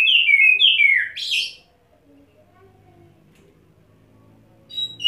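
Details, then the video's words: Oriental magpie-robin in wet setting, puffing up on one perch and singing fill-in phrases: three quick whistled descending notes ending in a harsh rasping burst, then near silence with faint low hum. "Kacer Satu Titik Tahan Ngobra Muntah Isian"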